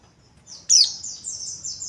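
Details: A white-eye gives rough ngeriwik kasar twittering: one sharp, loud, high note followed by a continuous thin, wavering, very high twitter that rises and falls for over a second.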